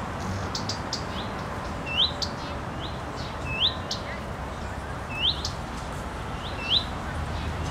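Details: Calling female common redstart sitting on a windblown branch and shaking her tail; bright rising whistles, fyuit, come roughly every one to one and a half seconds, mixed with soft tick notes against continuous background rustle.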